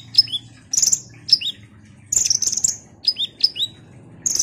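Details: Ruby-cheeked sunbird singing vigorously to rouse others: paired high notes, each a sharp squeak dropping into a lower whistle, alternating with chattering bursts, over a steady low background hum.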